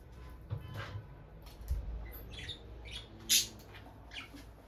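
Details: Peach-faced lovebirds, a bonded couple beside their nest box; sparse high chirps build to one loud, piercing squawk near the end, with quieter chirps after and soft low thumps.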